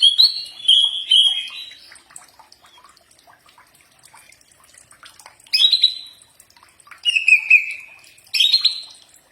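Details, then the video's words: Common iora (cak ijo) in training audio: a few separate high whistled phrases, some wavering or slightly falling, divided by long quiet gaps. "Mastran burung cak ijo pasti nyaut"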